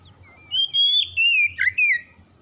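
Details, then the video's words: Oriental magpie-robin (kacer) singing in 'gacor' style, meant as daily therapy to get birds singing quickly: a long clear rising whistle, then a run of slurred falling whistled notes, over a faint low hum. "TERAPI KACER CEPAT BUKA PARUH HARIAN GACOR"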